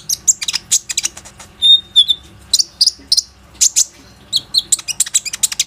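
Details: Plain-throated sunbird, kept bird singing as a lure for other sunbirds, recorded by phone: dense high chattering chirps with a brief clear whistled note, quick irregular rhythm, faint hum behind.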